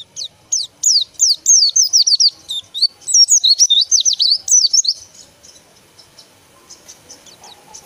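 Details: A white-eye sings a five-second run of fast, high, zigzagging whistled notes, about three or four per second. Faint chirps follow.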